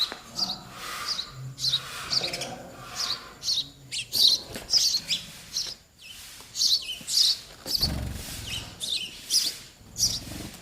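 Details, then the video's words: Baby sparrows begging while waiting for both parents to bring food: insistent, high, scratchy chirps repeated about twice a second in uneven bursts, over a steady background hiss and occasional low thumps. "Baby sparrow birds waiting for mother & father to feed"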